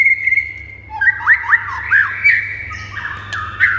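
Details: White-rumped shama singing to get silent birds responding and excited. A sustained whistle is followed by a run of harsh, chattering, squawky notes and rapid falling phrases, over a steady low hum.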